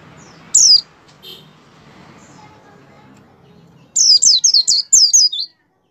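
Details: White-eye singing as a prompt for other white-eyes: a single loud high chirp, a pause with faint background noise, then a quick run of five or six bright, downslurred high notes.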